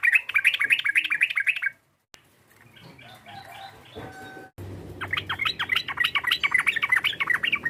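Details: Sooty-headed bulbul calling to provoke a rival. A dense, rapid chatter of sharp chirps, a brief quieter stretch with scattered notes, then another long, fast burst of chattering.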